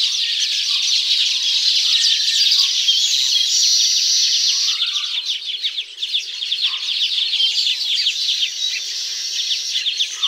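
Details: Baya weaver at its woven hanging nests, tropical setting: rapid, scratchy chirping in a constant buzzy stream, briefly dipping midway, with scattered lower warbled notes underneath.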